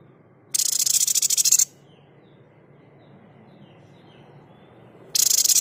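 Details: White-chested babbler (sniper, tepus dada putih) 'tembakan' bursts used as a tutor for cage birds: dense buzzy rattles of rapid high pulses lasting about one second, repeated after a pause, with faint thin whistles between.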